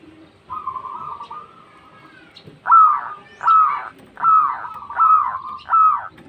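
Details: Local zebra dove calling to companions: a soft, wavering purr at first, then five loud, separate, arched coos spaced under a second apart, each with a falling tail.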